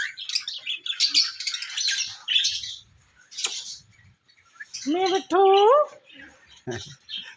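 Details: Pet parrot, raw calling voice: bursts of high, scratchy chattering chirps, a pause, then a loud drawn-out harmonic call that rises and wavers, followed by a few more short squawks.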